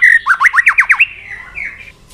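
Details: White-rumped shama provoked into fighting song: a fast series of about eight loud rising slurred whistles, then a softer drawn-out whistle fading away.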